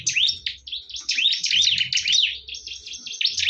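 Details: A heated fight between bar-winged prinias. An unbroken tumble of bright, high, twisting chirps rises and falls in quick succession, with a soft low background drone.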